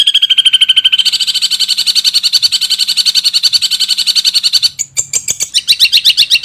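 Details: Long-tailed shrike song in a full fill-in style, used to train other birds: a rapid pulsing trill that steps higher after a second over a faint low hum, then ends in harsher, choppier notes.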